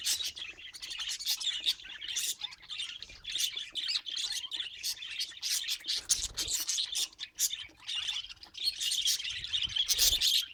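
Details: Pet budgerigars chattering in a busy stream of quick high chirps and scratchy warbled notes. A few louder bursts stand out near the end, and the chatter never stops.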